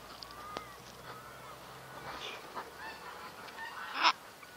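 A sulphur-crested cockatoo gives a few fainter harsh squawks, then one loud, raucous screech near the end, over a low background hum.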